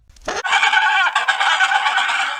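An Adelie penguin gives one harsh, raspy squawk that holds steady for about two seconds, loud and hoarse with a slightly pulsing edge.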